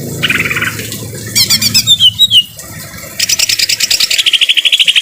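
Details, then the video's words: Harsh greater green leafbird song with rain, used to tutor and calm stressed caged birds. A buzzy trill, then bright slurred whistles, then a long, even, fast-pulsed high trill over a low background hiss. "Masteran cucak ijo suara kasar dan suara air hujan"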